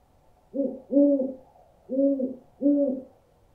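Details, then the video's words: Low owl hoots in two pairs, each pair of short steady notes followed by a gap, repeating about thirty-six times a minute; used for scaring birds. "Owl Sounds To Scare Birds"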